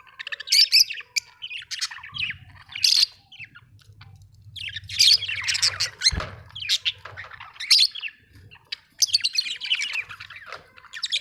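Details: A budgerigar chatters in bursts of harsh, buzzy chirps and squeaky notes over about eleven seconds, with short pauses, a steady low hum beneath and one dull knock midway.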